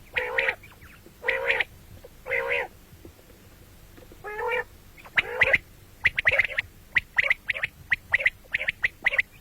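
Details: Common quail (batair) in a morning and night recording: several nasal buzzy notes give way to rapid sharp pips in threes, repeated about once a second.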